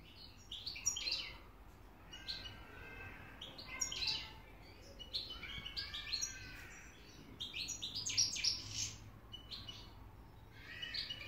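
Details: European goldfinch in Hamburg, Germany, excited, singing a fast stream of bright, tinkling twitters and buzzy trills in quick bursts, high-pitched and liquid, with little else heard.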